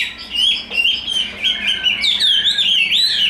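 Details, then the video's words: A big, tame Chinese hwamei in fighting display gives warbling whistled phrases that rise and fall, growing louder and more elaborate after the first seconds. "Thuần đét, bộ to, Đấu xòe"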